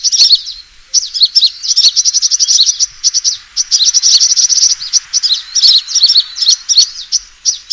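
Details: A sunbird gives its fighting call, used to lure birds: dense, hurried, high-pitched chirping in quick trills and squeaky twisting notes, almost without pause.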